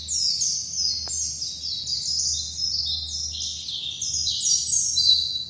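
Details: Bali white-eye, locally called dakun, delivers a rapid, very high chattering song of short stepped notes running continuously without pause; a faint tick sounds near the start against a quiet background.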